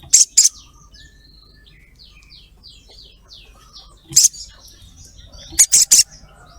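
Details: Ruby-throated myzornis; call; female calling to a male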